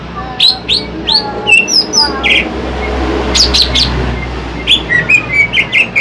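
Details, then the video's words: Greater green leafbird, a large captive bird kept as a master song for luring wild birds, giving varied whistled and chattering phrases with rising and falling notes, short bursts repeated rapidly, over a steady low background hum. "Burung cucak ijo BIG,ijo jumbo,masteran cocok untuK Mikat."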